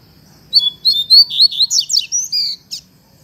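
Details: Double-collared seedeater singing in the fibra song style: a fast burst of high, sharp chirps and slurred whistles, about ten notes in just over two seconds, with faint low background hum.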